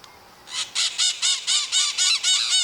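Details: Maritaca parrots, flock-living birds of Brazil, screaming: a loud series of about nine harsh, raspy screeches, evenly spaced roughly every quarter second, each a broad buzzy burst, with a quiet background.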